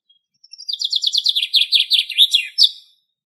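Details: Chaffinch singing in Greek nature: a single complete strophe of fast, rhythmic, trilled notes that step downward in pitch and end in a loud, accented flourish. The clip is otherwise clean and quiet.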